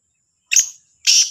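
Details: Black francolin heard in the morning at Sahiwal, 18 September 2022: two loud harsh, buzzy notes about half a second apart, the second longer and rasping.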